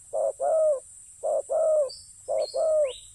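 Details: Spotted dove decoy on the ground gives three clear coo pairs, each a short note then a drawn-out one, while a high thin whistling chirp from another bird slides in late.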